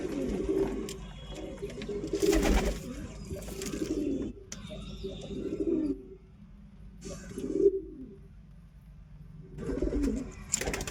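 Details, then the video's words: A pigeon gives repeated bursts of throaty, rolling coos, each lasting about a second, roughly every two to three seconds, with quiet gaps and a few clatters between them. "Real pigeon sound"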